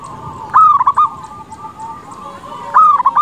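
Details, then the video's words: Zebra dove of a local strain in full song, used as a lure to provoke other doves to reply: soft rolling coos broken by two louder, quavering phrases. "Perkutut lokal gacor suara cocok untuk pancingan pasti bikin lawan cepat nyaut."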